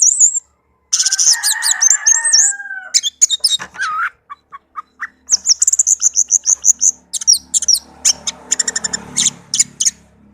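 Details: Rich, varied song of a pet orange-headed thrush, used to prompt silent birds to sing: high warbled phrases, a few lower slurred whistles, then a long series of rapid, evenly spaced high chirps, with faint background rumble.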